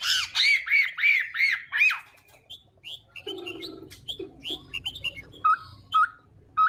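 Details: Chinese hwamei morning fighting song during voice training: five loud arched whistled notes in a row, followed by scattered short chips and whistles of differing pitch with quieter pauses.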